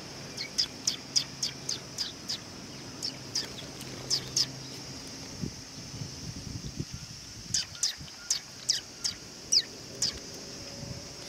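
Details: At a Tenmangu shrine on 18 August 2020, sparrows come in for food, giving short, thin, high chirps spaced roughly every half second. The chirps pause midway, then resume against a faint low background hum.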